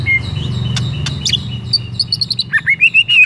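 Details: Lure song of a white-rumped shama, meant to make another shama sing: a clear thin whistle, a few sharp clicks and chips, then a rising string of bright whistled notes. A steady low hum runs underneath.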